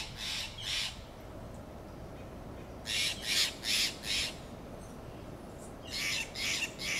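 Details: Harsh squawking contact calls from Steller's jays in Del Monte Forest's Monterey pine woodland, given in bursts of two, four and three grating notes with short pauses between groups.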